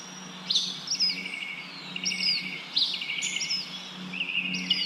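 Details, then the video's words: Bird chirping as wind moves the leaves, giving quick stuttering trills and sharp high flicked notes in phrases about a second apart, with a faint low hum and rustle behind. "Wind blows leaves, leaves bird chirping sound"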